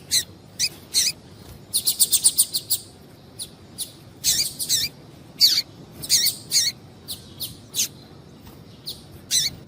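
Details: A female double-collared seedeater's call for stimulating males to sing, heard as thin, high chirps, with a fast burst of about six quick notes early on, then irregular single and doubled tweets.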